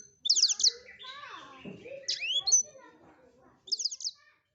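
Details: Blackthroat singing loud and varied: quick rasping high trills open and close the phrase, with sweeping whistled notes and lower warbled twitters in between, on a quiet background.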